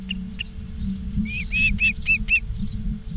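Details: Nest ospreys in Charlo, Montana, 17 August 2023, afternoon: soft, slightly slurred whistled chirps that rise and fall, about five in quick succession mid-clip, with steady hum and low rumble beneath.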